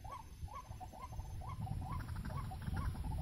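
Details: White-breasted waterhen, locally ruak-ruak or wak-wak, near a bird snare: repeated short hooked notes, roughly three per second, fading and blurring toward the end against constant low-pitched rumble.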